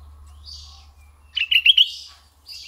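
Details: Red-eyed bulbul kept as a decoy bird, giving one short burst of four bright, bubbling whistled notes after a quiet start with a low background hum.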